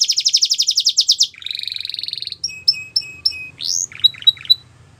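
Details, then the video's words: Canary song: a fast run of repeated high notes, then a buzzy trill, then spaced sharp chips and rising whistled notes, all high-pitched and clear against near silence. "Canary Chirping Sounds"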